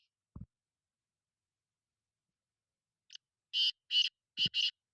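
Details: After a few seconds of near silence with a low thump, a black francolin (kala titer) delivers a brief introductory note and then four strong rasping notes in quick rhythm.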